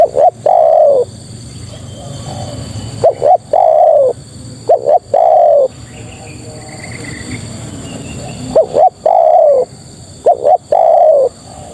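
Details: Female spotted dove calling to males: phrases of two short rising notes followed by a longer, falling coo, heard three times with long quiet gaps between, over a steady faint background hiss.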